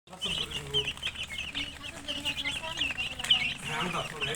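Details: Many chicken chicks cheep together in a continuous chorus of high, thin, overlapping peeps, with faint lower clucks and murmurs beneath.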